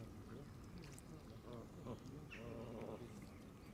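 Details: Canada geese surrounding a camera left running in green grass at the water's edge where the flock came to feed; low, harmonic nasal honks and murmurs in short bursts over a steady background rumble.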